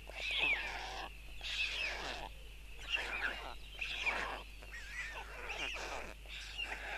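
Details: White stork (Ciconia ciconia) chicks, four young in a nest in Tukums, Latvia, while the father feeds them on June 13, 2022, give hoarse, wheezy mewing begging calls in rough bursts about a second long, separated by short pauses.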